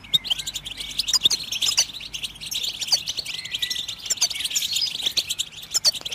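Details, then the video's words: Continuous high-pitched goldfinch twittering with jingling chirps and occasional slurred whistles, meant to encourage other birds to sing; faint ticks and clicks punctuate it. "How do you make your bird goldfinch song in its first minute ?"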